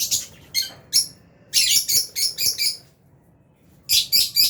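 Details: Captive albino and Fisher's lovebirds feeding in an aviary give a rapid run of high harsh chirps, several in quick succession mid-clip, a pause, then three more loud chirps.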